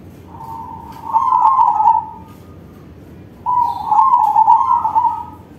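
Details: Crossbred zebra dove with a big voice singing manggung, used to attract other zebra doves. Two long rolling coo phrases, each swelling into a dense trill after a quiet start, are separated by a pause of about a second.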